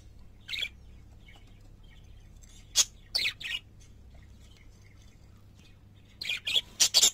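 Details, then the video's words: Short scratchy parakeet chirps, a few scattered early, then a quick cluster of four loud notes at the end, heard over a low hum. "Singing Parakeets"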